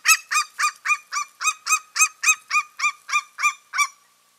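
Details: An eagle of a pair visiting its nest in March gives a long series of about fourteen sharp yelps, steadily repeated almost four per second, then falls silent.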